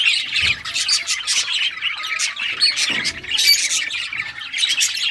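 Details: A group of rare-coloured budgerigars chirping as they play with toys; scratchy warbles and high squeaky notes run together continuously, with a couple of faint low thumps.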